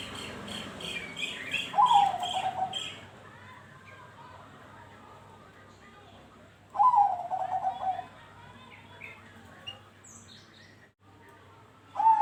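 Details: Song of a Bangkok-strain zebra dove, used to prompt others to sing along: three gentle, trilled coo phrases spaced roughly five seconds apart, with some higher chirping early on.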